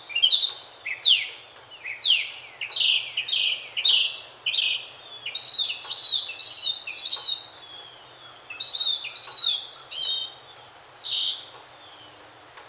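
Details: A Northern Mockingbird, said to be singing to find a mate, gives a rapid run of varied phrases, bright chirps and sharp downslurred notes, each repeated a few times before switching; faint background hiss throughout.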